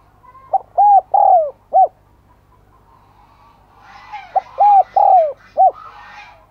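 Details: Spotted dove kept as a decoy, calling to draw in wild doves: two repeated phrases of soft, low coos, with faint higher chirping from other birds rising in the background during the second phrase.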